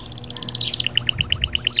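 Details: Short burst of canary song meant to excite a hen: a rapid buzzy roll of repeated high notes that quickens into crisp, downward-sweeping twin notes.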